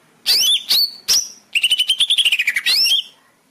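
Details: Greater green leafbird master song for therapy of caged birds that stopped singing: three loud slurred whistles followed by a fast trill of clipped notes ending in a rising sweep.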